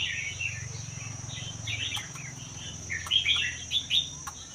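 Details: Red-whiskered bulbul, a wild Vietnam–Laos bird kept one year in a cage, singing a song called 80% doubled, used to stimulate other bulbuls; soft, rippling warbled notes over a continuous low rumble and a thin high tone.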